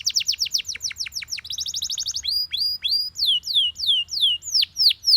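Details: A yellow Belgian canary sings loud, rapid phrases: fast descending notes, then a buzzy trill, then slower sweeping whistled notes about twice a second.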